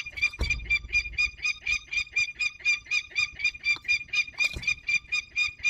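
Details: Peregrine falcon returning from hunting, Barycz Valley, Poland, 27 August 2022; a fast, steady series of harsh, nasal, ringing notes, about four per second, with two loud knocks.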